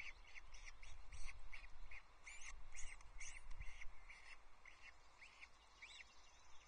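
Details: Osprey nest at Loch Arkaig on 24 May 2024, female feeding two young chicks a trout while a third chick struggles to hatch: thin high peeping notes repeated about three per second over a low wind-like rumble.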